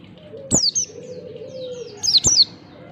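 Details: Oriental white-eye morning song, meant to get other white-eyes singing: two short bursts of piercing high downslurred whistles about a second and a half apart, over soft background hum.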